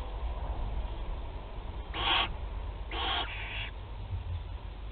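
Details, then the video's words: Barn owl chicks in a nest box at Théding, France, first feeding on 8 July 2020: two raspy hissing screeches about a second apart, the second drawn out, over low hum. "1er nourrissage - 08/07/2020 - Les Chouettes Effraies de Théding"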